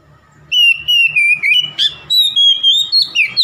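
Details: Oriental magpie-robin delivering a quick song to provoke an opponent: steady chain of bright, level and gently wavering whistles, roughly four per second, with a few downward slurs and a slight steady background hum.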